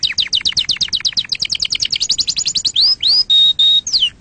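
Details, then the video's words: Canary singing played to young canaries as a model: rapid repeated downslurred notes about four per second, then upswept whistles and two flat, pure sustained whistled notes ending in a falling slur. "أحسن تغريد أصلي صافي و خالي من الأخطاء لتسميع فراخ الكناري"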